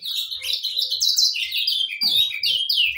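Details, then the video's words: Saffron finches singing without pause, an unbroken jumble of high chirps and quick downslurred whistles, fast and energetic, with faint low knocks in the background. "gorriones pecho amarillo cantando"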